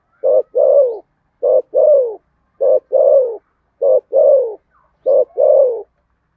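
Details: Contest cooing from a spotted dove, Sấm Thổ style. Five evenly spaced phrases each pair a brief hoot with a fuller coo that drops in pitch. The rhythm is steady, with short silences between phrases and no other noise.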